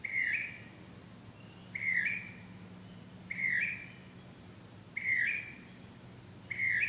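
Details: Bird back at night, singing love songs: short, rising whistled phrases with a buzzy edge, repeated about every one and a half seconds, with a steady low background hum.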